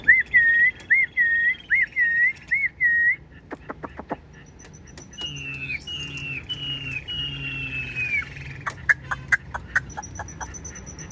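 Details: Caged Chinese hwamei: a row of five loud, looping whistled notes, then sharp clicks, then long, buzzy, sliding whistles, ending with scattered clicks and a high thin tone.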